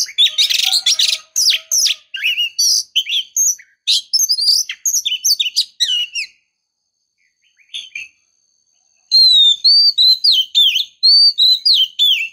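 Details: Female oriental magpie-robin calling to lure a stressed male into answering and singing: dense bursts of sharp, buzzy chirps and short whistles, a near-silent gap, then a run of clear, slurred whistled notes repeated quickly.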